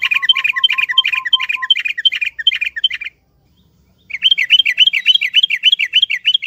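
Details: Yellow-vented bulbul sound played as a lure to prompt a silent caged bird to sing: fast, regular run of short chirped notes, about four each second, with a lower steady piping series at first, then a one-second pause before the chirps resume.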